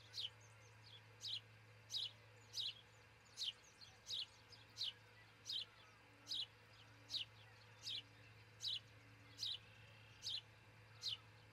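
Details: Osprey calling from its nest in Charlo, Montana, before 5 am on June 22, 2018, picked up by a nest camera: a long run of about fifteen thin, downslurred cheeps, fairly evenly spaced, over a constant low hum.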